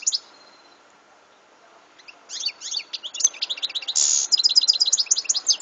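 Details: European goldfinch, recorded in 2014, delivering a high, tumbling twittering song that builds after a quiet start, with a short harsh buzzy note midway and rapid chirps continuing to the end.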